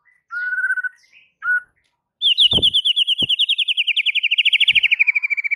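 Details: White-rumped shama lure song for stirring other shamas to sing: two short whistled notes, then a long, fast, even trill of ringing notes slowly falling in pitch, with a few soft knocks behind.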